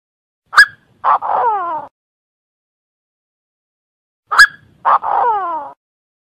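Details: Chinese francolin lure call, Vietnamese 'đa đa mồi': a sharp high click followed by a harsh, harmonic phrase of downslurred notes, given twice about four seconds apart, with silence between.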